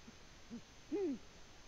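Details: Eurasian eagle-owl in the nest, recorded in Latvia on 14 February 2020: two faint low murmurs, then one stronger arched hoot that rises briefly and slides downward.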